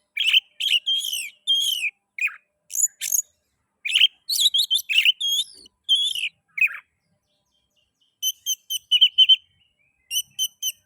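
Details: Oriental magpie-robin (kacer) singing, meant to stimulate other magpie-robins to sing: loud varied whistles and harsh buzzy phrases, followed after a pause by soft, rapid, evenly spaced chip notes.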